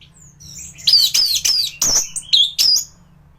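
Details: Anis thrush in top singing form, recorded to train other birds: a short flurry of loud, high, sharp, slurred notes, several separated by brief gaps.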